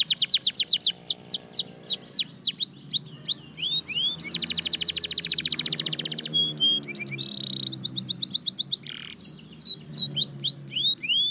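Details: Red factor canary singing: fast rolling trills of high repeated notes, buzzy sustained tours and sweeping whistled phrases, changing pattern every second or two, over a steady low background hum.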